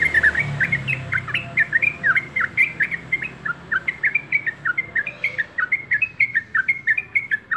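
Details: Trucuk, the yellow-vented bulbul, in energetic song: a steady stream of liquid, chattering notes that dip and rise, packed closely in rapid succession with little silence between them, over a faint low hum.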